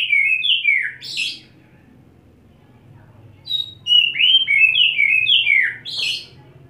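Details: Wet-set kacer holding one spot and unloading fill phrases: a fast series of descending whistles capped by a harsh buzz, a quiet gap, then a longer string of sliding whistles ending in another rasp, with a faint low hum behind.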